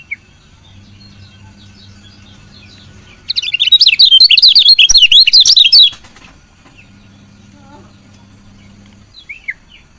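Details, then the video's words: Chirps of a female lemon-bellied white-eye, meant to rouse reluctant males to sing. A low hum comes first, then a loud run of quick, high twittering notes for nearly three seconds, followed by quiet and a few scattered chirps. "CIAK KECIAL KUNING BETINA"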